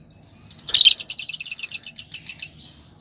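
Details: Rapid continuous lovebird chirping, a run of roughly fifteen high, buzzy notes lasting two seconds, loud at the start then evenly pulsed.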